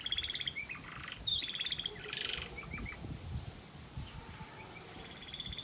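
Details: Variegated red factor canary singing a waterslager-style melody: short bright trills and rolling phrases, some bursts sharply whistled, separated by pauses, over a faint low background hum.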